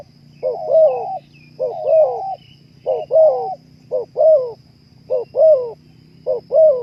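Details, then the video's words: Zebra dove cooing, played as therapy to raise breeding drive: six rolling, bubbly coo phrases, each a short stutter then a longer warbling note, repeated roughly every 1.2 seconds over a quiet low hum. "terapi suara naikan birahi burung terkukur"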